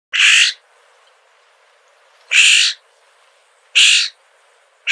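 A Florida scrub jay gives harsh, raspy half-second screeches, four in five seconds at an uneven pace of one to two seconds apart, with nothing else heard.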